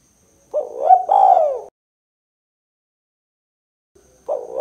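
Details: Spotted dove giving the 'kuk 2' call used for luring and prompting birds: a full husky coo phrase that rises then falls, a long silence, and the start of a second phrase cut off at the end.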